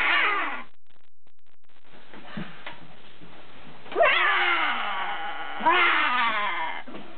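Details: Two pet macaws, a blue-and-gold and a green-winged, out of their playpen guarding their hiding spot in a basement: harsh, drawn-out, growling squawks, a burst at the start, then two loud rising-falling screeches about two seconds apart.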